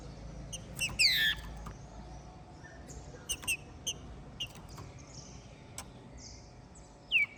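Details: Green-winged saltator, ringed and bred in captivity in Minas Gerais, Brazil, in full song after moulting, Trem Bala style; a loud descending whistled slur opens, then brief thin notes and clicks, and a final falling whistle.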